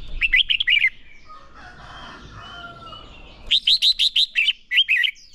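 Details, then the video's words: Red-whiskered bulbul trained for competitive singing, urged into full fighting song: quick series of bright, bouncy whistled phrases, about six notes in a fast run near the end, after a quieter stretch of distant bird calls. "Chào Mào Hót | Chào Mào Ché Kích Bổi Nhanh lên lửa - Thúc Chim Sổ Giọng | Luyện Chào Mào Hót Đấu"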